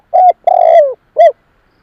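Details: Spotted dove coo used as a lure for other doves: a short coo, then a long sustained note sliding down at the end, then a final short arched coo, loud and clear against silence.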